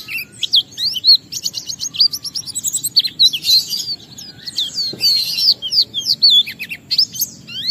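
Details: Singing Oriental white-eye, played to spur other birds of its kind to sing: rapid high chattering trills and looping whistled notes pour out almost without pause, with brief rattling bursts mixed in.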